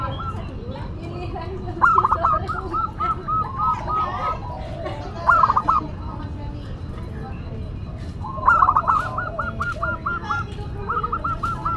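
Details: Local zebra dove with a classic, unique voice, kept as a lure and master singer: three loud phrases of rapid short notes, each opening with a rising note and trailing into long even strings of cooing, with people talking.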